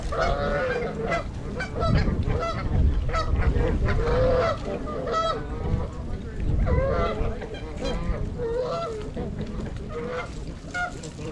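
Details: Trumpeter swans wintering at Gallup Park, Ann Arbor, Michigan, 42 birds (26 adults, 16 juveniles), January 8, 2022, captured with a GoPro: a busy chorus of resonant honks repeating rapidly, several birds calling together, over low-frequency rumble.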